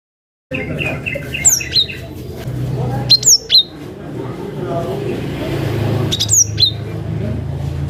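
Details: Cinereous tit calling a rival in a natural recording used to lure young birds: two or three groups of very high, quickly falling whistled notes a few seconds apart over steady low traffic-like rumble.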